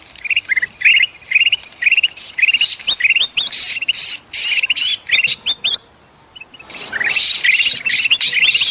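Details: Agitated golden bulbul calling with a trapped bulbul, Sumatra forest, used to lure birds; clusters of bright ascending chirps and raspy bursts, a short silent gap, then a loud continuous harsh squawking.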